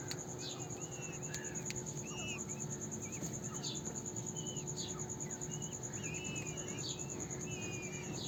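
Peafowl chicks give thin, high peeps with short upslurred and downslurred notes, several a second. A steady insect trill and low background hum run underneath.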